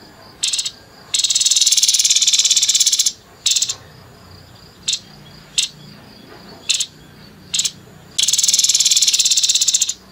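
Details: Grey-headed babbler in rough 'nembak kasar' song, short high buzzy bursts scattered between two sustained, rattling trills of fast pulses, each about two seconds long.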